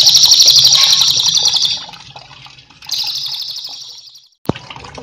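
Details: Cililin trilling for training cage birds: a loud high rattling trill fading out, a quiet gap, a softer second trill, then near silence broken by a sharp click.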